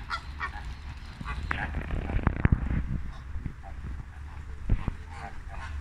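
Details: Flamingos in late afternoon, a few scattered nasal honking calls, loudest early on, over steady low rumbling background noise with occasional knocks.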